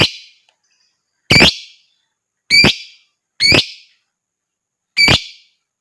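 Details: Lovebird calling, used as a lure to stimulate other lovebirds to sing and chatter: five loud, harsh, buzzy calls with a sharp onset, each roughly a second apart, in an otherwise silent background.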